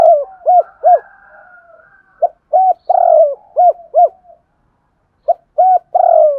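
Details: Spotted dove used as a lure bird, giving the double-voice calling coo with two endings. Short bowed coos at an even pitch come in clusters of three and two, with soft drawn-out notes between them and a brief silence.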